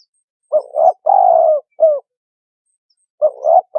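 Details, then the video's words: Spotted dove cooing used as a lure for trapping birds: a double note, a long hoarse coo and a short hooked note, then the phrase begins again after a pause. "Cu Gáy Kích Bổi 2020"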